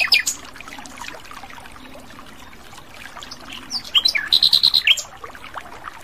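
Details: A wild Asian brown flycatcher sings. After faint scattered chirps, a burst of about eight quick, even, high whistled notes comes, preceded by a few rising slurs.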